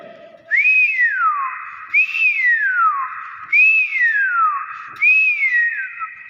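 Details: Nias hill myna in its natural voice repeating a loud ringing whistle four times, about every one and a half seconds; each note jumps up, then glides steadily downward, over faint room reverberation.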